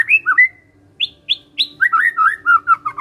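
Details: Magpie-robin song used to get kept birds answering: clear fluted whistles, three higher sharp notes, then a rapid, tumbling warble.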